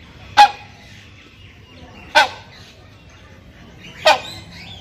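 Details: Male hornbill (Buceros) calling to a female during breeding: three loud, harsh, honking blasts about two seconds apart, each a short broadband burst, over a quiet background.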